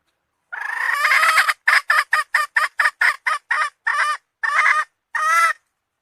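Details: A hen calls with a drawn-out harsh opening note, then an accelerating run of about a dozen short, clipped, nasal notes, with longer gaps toward the end.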